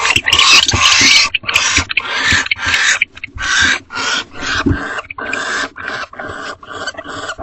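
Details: Barn owls at a nest box at 5:21 am on 29 March 2025, as the male returns with a rodent for the hungry female before mating; harsh, breathy hissing screeches in rapid, uneven bursts.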